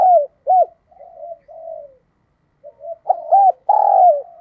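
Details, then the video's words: Decoy cooing of a spotted dove used to draw in wild doves: arched coo notes, then quiet drawn murmurs and a pause, ending in a loud phrase of two quick arched coos and one long sustained coo. "cu gay kich boi nhanh noi"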